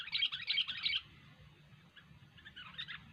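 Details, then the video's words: Prolifically singing sooty-headed bulbul gives three quick, loud bursts of bright chirping notes in the first second, then softer scattered notes against a low background hum. "Burung kutilang Gacor"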